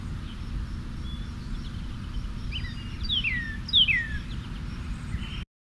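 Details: A loud Northern Cardinal sings two or three clear downslurred whistles, a 'purdy' or 'pretty' song that often speeds up at the end, near the middle; a steady low rumble underneath, faint chirps behind.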